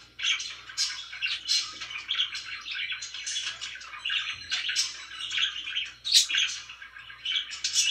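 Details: Indoor pet budgies chattering nonstop: a tangle of warbled phrases, scratchy notes and sharp chirps, with a few louder peaks, steady faint low hum in the room.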